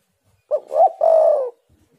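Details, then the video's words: Spotted dove (tekukur) song used as a lure to get other doves singing: a single soft, hollow coo phrase with a short rising note and then a longer, drawn-out falling coo, in an otherwise quiet setting. "tekukur super gacor pancingan untuk macet bunyi jadi gacooorr"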